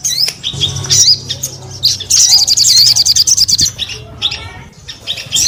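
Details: Sogon bird singing high slurred chirps, then a rapid run of repeated sharp notes about three per second, and softer twittering at the end.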